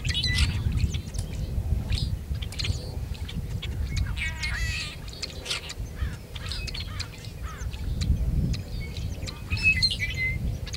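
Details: Male tricolored blackbird singing and calling near Kern National Wildlife Refuge, California, on 26 February 2003; harsh, buzzy and nasal notes with short rising slurs, over a steady low rumble of wind or distant noise.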